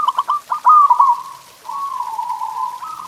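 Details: Zebra dove song aimed at making pet doves sing: a few quick pulsed notes lead into a loud bubbling trill, a brief pause, then a long level coo ending in a slight upward step.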